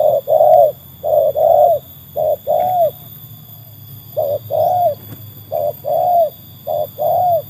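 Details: Rhythmic cooing of a trained tekukur, the spotted dove, proven against wild birds: mellow hollow notes grouped as a short note then a longer, slightly downslurred one, phrases repeated with brief pauses.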